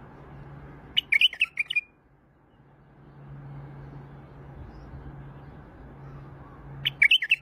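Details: White-eared bulbul from Iraq: a brief fluty, bubbling phrase near the start, then a long pause with faint hum before another warbled burst at the end.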